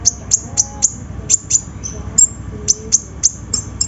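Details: Sunbird song used as a lure to prompt reluctant birds to sing: sharp, very high ticking notes repeated about every quarter second, with a few short downslurred chirps between them and faint low tones beneath.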